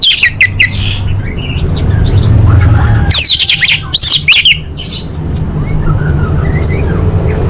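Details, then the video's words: Orange-headed thrush singing, played to stimulate caged birds: short scattered chirps, then a loud burst of rapid sweeping whistles lasting about a second and a half, then quieter notes over constant low background noise. "Pancingan Anis Merah Paling Efektif: Meningkatkan Gacor & Kualitas Suara Burung!"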